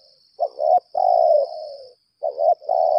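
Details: Spotted dove decoy, lambung kuk type, calling for a fight. It gives a clipped double coo, then a long, slowly falling purr. After a pause the phrase starts again, with a constant thin hum above.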